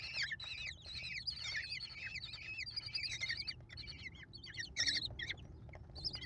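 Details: American kestrel nestlings, five chicks fed by their mother at a nest, late May 2021: a crowd of shrill, rasping squeals tumbling over one another, falling in pitch, with a louder burst near the end.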